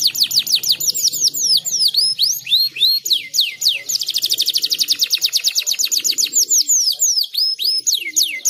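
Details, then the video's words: Canary giving an energetic gacor song. Slurred rising and falling whistles lead into a dense, fast buzzing trill midway, followed by varied high swooping notes. "Terapi Kenari Gacor"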